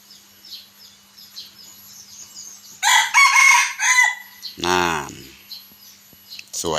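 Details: Red junglefowl rooster, one of six ornamental birds kept for their morning crowing, moulting in the rainy season, giving a harsh, buzzy crow in broken bursts ending in a deep, drawn-out falling note, with soft chirps of small birds behind.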